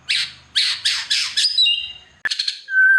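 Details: White-rumped shama (murai batu) in vigorous gacor song full of fill-in phrases, used to prompt silent shamas to sing: harsh buzzy bursts roughly every half second, then a short pause, chattering notes and a clear sustained whistle.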